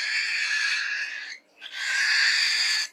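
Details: Falk bird making its odd pig-like sound: two drawn-out, buzzy, grunting notes, the second broken off after a brief pause.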